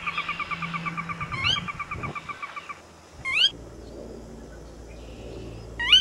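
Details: Sora giving upslurred whistles, three separated by a second or more, the first following a fast run of repeated notes; soft low rumble underneath.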